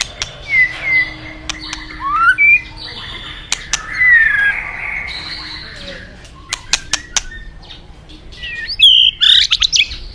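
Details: White-rumped shama from the forest with a torrent of river water behind: scattered slurred whistles and upward-sweeping notes, interrupted by sharp ticking clicks, ending in a louder high whistled flourish.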